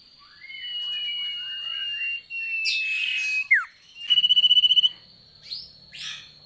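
Sooty-headed bulbul giving bubbly, liquid whistled phrases, followed by a rapid buzzy rattle, over a steady high-pitched whine.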